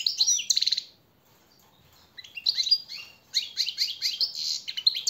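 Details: Captive-bird training song of a European goldfinch, bright tinkling twitters and fast buzzy trills in two phrases broken by a one-second silence.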